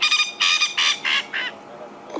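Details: A male Coqui Francolin in Sabi Sand, South Africa, in April, gives harsh, ringing notes that step downward and fade in his sunset chorus, claiming territory and advertising to females, with another male answering farther away.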